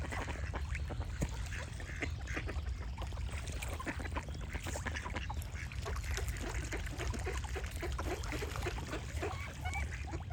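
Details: Ducks quacking among singing birds, many short broadband quacks overlapping in a busy chorus, with bird whistles above and steady low rumble underneath.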